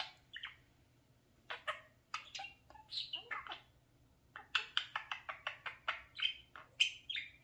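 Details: A male talking parakeet playing in front of a mirror chatters in quick, scratchy bursts of varied pitch, some like clipped speech, in a run of a dozen or so notes with short pauses.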